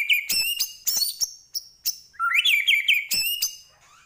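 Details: White-rumped shama from Medan in full, varied song: loud whistled phrases and sharp clicking notes, with rising and falling trills mixed in and short pauses between bursts.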